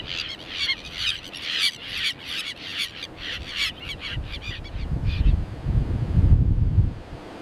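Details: Breeding colony of common terns giving harsh, rasping calls repeated about twice a second in a steady chorus, fading out as a low rumbling noise, like wind or surf, grows louder toward the end.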